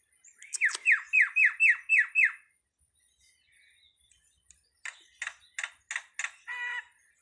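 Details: Starling delivering six loud, downward-sweeping whistled notes in quick even succession, then after a silent gap a set of harsher buzzy notes ending in a short nasal phrase.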